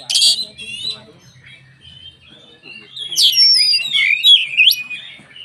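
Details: Singing white-rumped shama, or kacer, whose song serves to goad rival shamas: a sharp opening note, a quiet gap with low background hum, then loud sweeping whistles and rapid twisting phrases.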